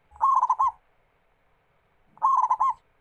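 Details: Zebra dove (perkutut lokal) singing to lure other doves into song: two phrases of quick staccato coos closing with a rolling trill, separated by a quiet gap of about one and a half seconds.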